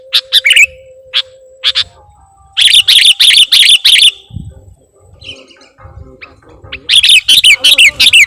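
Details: Sooty-headed bulbul calls used as a lure for trapping bulbuls: bright, sharp chirps in quick bursts. Scattered notes open the clip, then a dense run of repeated chirps, a pause, and another rapid run, over a faint steady hum.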